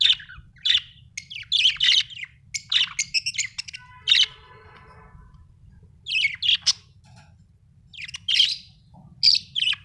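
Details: Cheerful budgie from Australia chattering in rapid warbled chirps and squeaky notes, one buzzy harmonic rasp mid-way, phrases broken by short gaps, low steady background hum.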